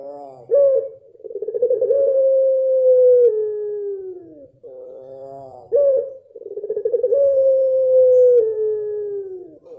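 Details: A speckled pelung dove gives two long coos in a row. Each has a buzzy harmonic opening, a loud accent, and a pulsed swell into a long level note that drops a step and slides down at the end. A faint low hum runs underneath.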